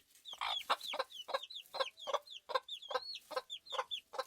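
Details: Several farm chickens cluck steadily, about two to three calls per second, each call a brief harsh note with a bent, squeaky top, overlapping birds giving an irregular chattering rhythm.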